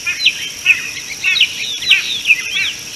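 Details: A common bulbul at an African watering hole, 13 March 2018, gives short, bright, slurred chirps, about two a second and mid-high in pitch, over a steady high hiss like insects.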